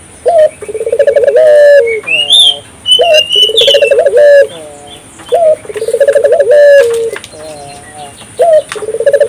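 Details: African collared dove calling steadily to provoke local doves into answering; three rounds of a short lifted note, a fast rolling purr and a long falling coo, each about three seconds apart, over light high bird twitters.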